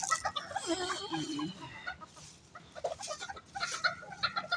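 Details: Bantam chickens gathering to be fed at a workshop in Bandung cluck and chatter in short, choppy bursts, several birds calling over one another.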